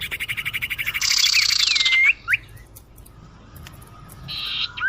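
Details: Lure call of the common iora, used to draw in birds: a long harsh buzzy rattle with pulsing rhythm, a couple of curved whistled notes, then near silence before another short buzzy burst.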